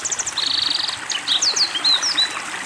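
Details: Black-throated Canary singing under water therapy: a short chattering burst, then a fast even trill of about half a second, then looping whistled slurs, with a trickling stream behind.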